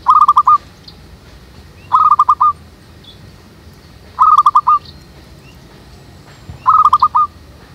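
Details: Zebra dove used to lure doves into a trap in a backyard jackfruit tree: short bursts of four or five rapid staccato coos, repeated roughly every two seconds, over quiet background with faint chirps.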